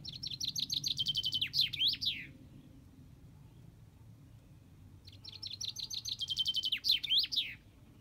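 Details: Two full common chaffinch song phrases about five seconds apart, each a fast descending run of bright high notes closing with a downward-swooping flourish.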